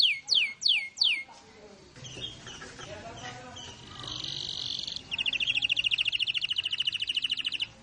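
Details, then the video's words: Energetic canary: three loud, sharply falling whistled notes, then a softer jumble of mixed warbles and a raspy buzzing passage, ending in a fast, steady high trill. "SUARA BURUNG KENARI GACOR"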